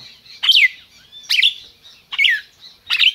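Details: Captive red-crested cardinal bred in Brazil, calling and singing: four bright, slurred phrases, each a quick downward-sweeping whistle with a sharp attack, spaced about every 0.8 seconds over a quiet background.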